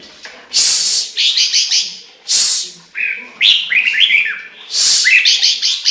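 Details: Chinese hwamei in full song: a varied run of loud rasping bursts and quick whistled phrases, some rising and some falling, in rapid succession with hardly a pause.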